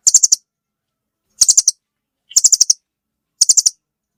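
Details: Four crisp bursts of four or five fast, high chit notes from a velvet-fronted nuthatch, roughly one per second, in a silent setting.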